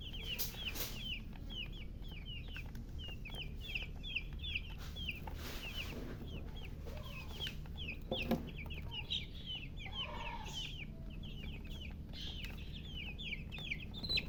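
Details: Chicks keep up a dense chorus of sharp, descending peeps, several per second, with a few louder knocks and thumps now and then. A low hum runs underneath throughout.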